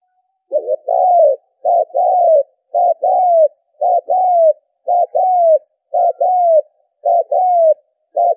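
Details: Spotted dove call used as a lure for trapping birds, with repeated low cooing phrases, each a short double note followed by a longer falling coo, given about once a second; a faint high whistle runs overhead.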